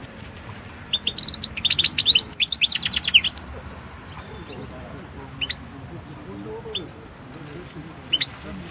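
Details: European goldfinch recorded for the 2016 goldfinch song world championship: a rich, fast twittering phrase of mixed high notes lasting over two seconds, followed by scattered single chirps and a faint low hum.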